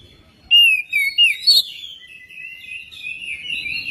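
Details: ['Magpie-robin song used to prompt singing: four loud whistled notes within about a second, the first sliding down and the last rising high, followed by a soft, sustained warble.']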